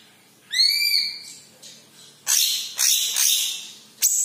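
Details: Green leafbird with a yellow head, singing a clear arched whistled note followed by loud scratchy, hissing bursts repeated at irregular intervals.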